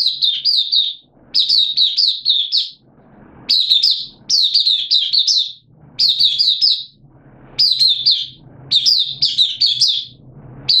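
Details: Caged hobby white-eye kept in Singapore, recorded 8 September 2022 in slightly dipped form, singing high, rapid warbled bursts of quick rising and falling notes about a second long, repeated roughly every one to two seconds, with faint low background hum.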